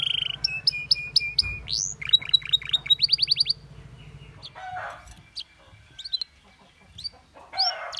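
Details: Canary song opening with a fast buzzy trill, then rapid runs of repeated high chirps and sweeping whistled notes for about three seconds, followed by quieter scattered chirps and a soft low hum underneath.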